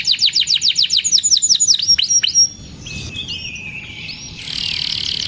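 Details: Canary singing a lively 'cuit cuit' phrase, intended to teach juvenile canaries and rouse silent ones: a quick series of high, sharply descending whistled notes, followed by softer warbling and a faint rapid trill.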